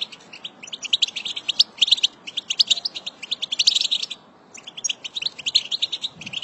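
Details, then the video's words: European goldfinch, female, singing as stimulation for caged goldfinches: quick, bright twittering phrases of high chirps and trills, rhythmic bursts with a short gap before the final phrase, against a quiet background. "بتبتة الحسون الخرافية العجيبة والرهيبة التي تنطق أي حسون كيفما كان نوعه"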